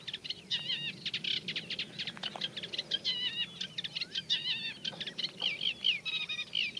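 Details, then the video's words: Eurasian reed warbler in a reed bed, giving a scratchy, fairly slow song with mimicry of other birds. Steady chattering notes are broken by occasional short whistled slurs. "Eurasian Reed Warbler Song | Acrocephalus scirpaceus Singing"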